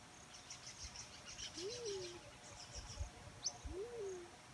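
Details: Black-chinned fruit dove calling naturally: two low, soft coos, each rising then sliding down in a short arched note, about two seconds apart, over faint high chirps and insect buzzing.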